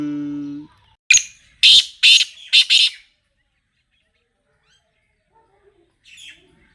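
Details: Black francolin calling on a fresh Friday morning, 10 February 2025: a short low humming tone, then five loud harsh rasping notes in a rapid uneven burst lasting about two seconds, followed by quiet and a faint distant note.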